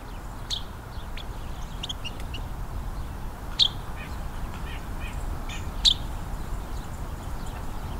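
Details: A Carolina Wren, during a winter Christmas Bird Count near a creek bank, approaching the recordist, gives two sharp, high, downslurred notes about two seconds apart, with faint scattered chips and a steady low rumble of wind.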